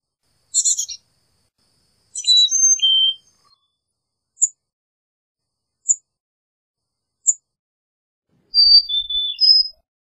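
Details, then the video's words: Carolina chickadee with a rough call, then a whistled four-note song, a few single high chips, and another whistled phrase, with faint low thumps. "Carolina Chickadee Song! Carolina Chickadee Call!"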